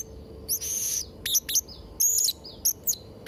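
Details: Blue-crowned hanging parrot song for tutoring young birds: a buzzy high note, then separate sharp, clipped chirps and thin whistles spaced irregularly over a few seconds.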